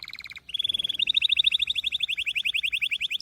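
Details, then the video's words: Canary song: a short whistled phrase, then a long, even, rapid trill of repeated high notes that runs steadily to the end. "غناء كناري لاسكوت ،لن يصمت كناريك عند سماع هذا الوحش Canary Bird singing"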